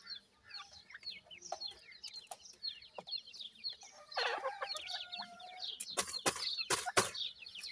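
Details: Young dakhni teetar (francolin) chicks keep up rapid overlapping high peeps, about three or four a second. A rustling burst midway and sharp knocks near the end cut through the cheeping.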